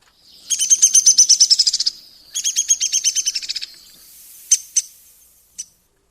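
A Downy Woodpecker gives two quick rattling runs of sharp, high notes that slow and drop in pitch, each about a second long, then two single sharp 'pik' notes.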